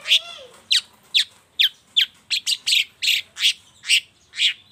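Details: Morning lure sound of a long-tailed shrike for getting reluctant shrikes to sing: a short low squeal, then eleven loud, rasping chirps at a steady pace of roughly two per second.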